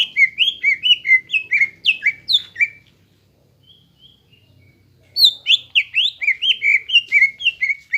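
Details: Greater green leafbird in active song as a model for young birds: quick rolling series of whistled up- and downslurred notes, a quiet gap with faint notes, then another fast whistled run.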